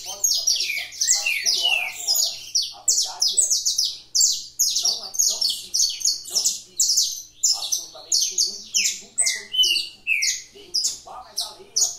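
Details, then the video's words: Canary kept at a breeding facility delivering 'fibra' style song: sharp, high, rising-and-falling phrases fired in quick bursts about twice a second, loud and continuous through the whole stretch, with softer twitters underneath. "#canto #fibra #canario"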